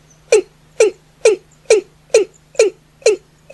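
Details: Watercock at night uttering a rapid, evenly spaced series of eight loud, hollow downward-swooping notes, roughly two per second, with a low hum underneath.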